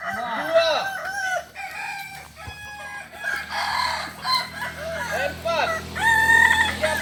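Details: Several Kokok Balenggek cocks crowing at a group practice session in Solok. Overlapping, arched crowing phrases sound from different birds, with a low steady hum and some background chatter.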